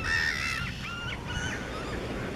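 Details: Armenian gull (Larus armenicus) in Cyprus giving three or four harsh, nasal mewing notes, each slightly rising then falling, with a steady low rumble of wind behind.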